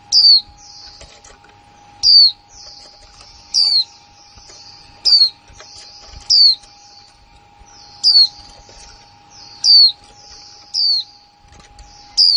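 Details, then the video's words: Female white-eye giving a líu-style song, 2020: high, sharp falling whistles repeated roughly every one to two seconds, linked by quieter twittering phrases, over a constant faint hum. "khuyên mái kick mộc là líu"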